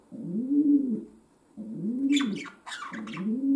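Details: Indoors, a pet domestic pigeon repeats long, low, bowed coos about every second and a half, while brief higher scratchy rustling noises sound over the middle coo.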